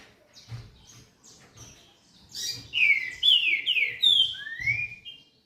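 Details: Early-morning song of a double-collared seedeater (coleiro) close to 5:40: faint thin notes, then a loud series of downslurred whistles ending on a rising sweep, with soft low thumps beneath.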